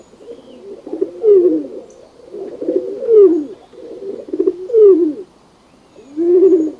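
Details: Pigeon giving repeated low, burbling coos. Each phrase swells and then slides downward at its end, and a new phrase comes roughly every one and a half to two seconds, with short quiet gaps between.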